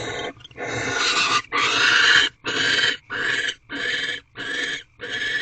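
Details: Nest-box barn owls at night, 17 March 2023, as a male brings a gift of prey to the female before mating; loud, dense rasping hisses come in long, closely spaced bursts, some nearly a second long.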